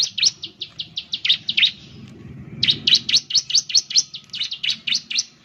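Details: Bar-winged Prinia, known as ciblek, in an energetic gacor lure song: two long rapid strings of high chirping notes separated by a brief lull filled with low rumble.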